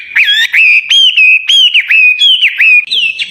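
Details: Songbird hung on a contest pole, ready to compete at a singing contest: loud, clear whistled notes near one pitch, each bending up or down, repeated rapidly and almost without pause for over three seconds.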